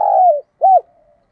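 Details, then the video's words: Spotted dove phrase for stimulating decoy doves: a long, gently falling hollow coo followed by one short rounded coo and a faint fading hum. "cu gay kich boi nhanh noi"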